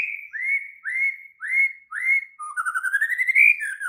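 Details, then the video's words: White-rumped shama in an agitated, active state, singing: four rising whistled notes repeated about every half second, then a fast trill sweeping upward and dropping at the end. "Murai batu langsung EMOSI TERPIKAT suara murai batu ngamuk AKTIF ini"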